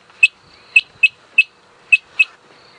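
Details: Harlequin quail call played back during an evening safari drive on April 06, 2017, as rain approached: six short, sharp, high whistled notes in under three seconds, unevenly spaced, over a faint steady background hum.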